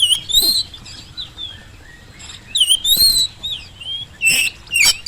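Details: Singing Oriental magpie-robin used as a lure to make lazy birds respond: scattered high whistles and sharp chirped bursts, a pause in the middle, then several quick loud phrases.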